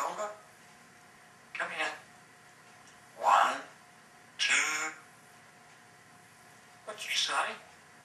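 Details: Pet African grey parrot, female, alone in her cage, talking to herself and practising words: five separate short word-like utterances with quiet pauses between them, some rising in pitch, over a low room hum.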